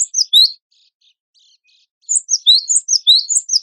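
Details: Cinereous tit of the wingko type singing hard for a tutor recording: a few high, sliding chirps, a short quiet break, then a fast cluster of shrill, twisting notes.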